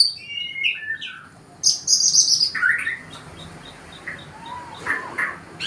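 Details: Forest white-rumped shama from Indonesia singing to woo a female: varied clear whistles and rich warbled phrases, rising and falling, some high and sharp, over a faint hiss.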